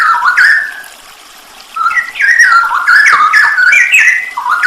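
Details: Straw-headed bulbul masteran with full 'isian nembak': an opening warbled phrase, a brief lull, then rapid stepped whistles rising and falling about three times a second, smeared and echoing.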